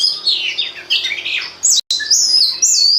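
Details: Oriental magpie-robin song used as a lure for other magpie-robins. Scratchy descending notes give way to loud, clear, high whistles, broken by a brief cut of silence.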